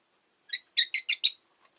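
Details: Rosy-faced lovebird kept indoors on a relaxed afternoon gives a rapid run of five shrill, squeaky chirps in under a second.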